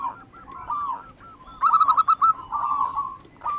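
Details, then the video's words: Zebra dove of local wild stock, a lively singer kept as a lure: soft wavering coos lead into a loud burst of rapid staccato notes, followed by longer trilling coos fading out. "perkutut lokal alam. Gacor Ampuh buat pancingan"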